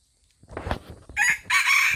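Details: Old red junglefowl from Aceh crowing: soft rustles and thumps, then a short harsh rasping opening note and a longer, loud, strained final syllable held to the end.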